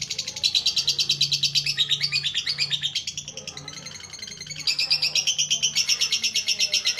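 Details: Lovebird singing a long ngekek chatter, starting with ngetik-style notes; used to coax lazy birds into singing. Rapid, buzzy, high-pitched notes repeated about three times a second in a continuous stream, with a steady low hum beneath.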